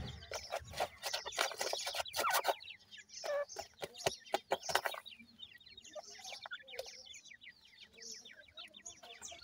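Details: Pheasant chicks of the ring-necked kind crowd in for food, their high falling peeps running steadily while loud clattering knocks dominate the first half, then quieter chirping continues.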